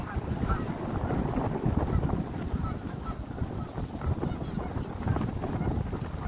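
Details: Wild Canada geese in their natural habitat in a Canadian park during fall, giving rough low honks blended into steady wind rumble and background noise.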